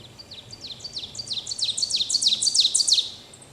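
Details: In Pennsylvania, an Ovenbird sings a fast series of sharp, two-part 'teacher' phrases that grow steadily louder and end abruptly, with faint low background noise.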